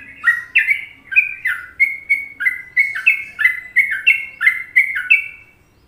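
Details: Sooty-headed bulbul delivering the favoured Trucukan song in an Indonesian masteran: a series of bright, rounded whistles, some paired and rising, some falling, flowing steadily for about five seconds and then fading.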